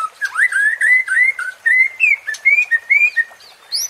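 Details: White-rumped shama (murai batu) song, used as a provoking sound to stir a rival's fighting spirit: a string of clear whistled slurs, rising and falling, delivered in quick succession with faint high chips behind.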